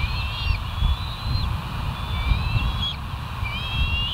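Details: Bald eagles at the West End nest on 08/04/2023, 05:22, picked up by a live nest camera; thin, high whistled notes sliding slightly upward, fairly soft over heavy low rumbling wind noise.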